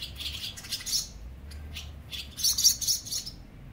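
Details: Barn swallow colony under a bridge at Mercer County Park, New Jersey: several birds give bursts of high, scratchy chirps and twitters, overlapping in quick clusters over a faint low hum.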